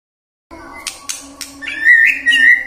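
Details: White-rumped shama lure song to prompt singing in the morning, midday and afternoon: three sharp clicks, then a loud, clear whistle that wavers slightly and holds steady.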